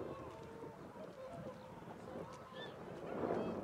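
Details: Flying cackling geese calling: a run of nasal honks and short yelping notes, several birds overlapping, with a brief higher squeal near the end and a low background hum.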